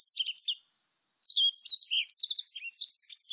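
A warbling white-eye sings a fast, high, twittering warble: a brief burst, a pause of about half a second, then a longer run of jumbled sweet notes. The background is quiet.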